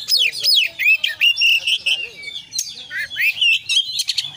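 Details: Oriental magpie-robin, known as kacer, in 'gacor' song loaded with 'isian' fills in the 'konslet' style. Loud descending whistles and twittering slurs follow in quick succession, broken by short buzzy notes.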